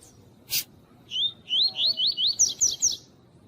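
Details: Double-collared seedeater (Sporophila caerulescens, coleiro tui-tui) giving a quick run of about eight bright, rising whistled notes climbing slightly higher toward the end, after a single sharp click; recording with a calling female, used to stimulate males.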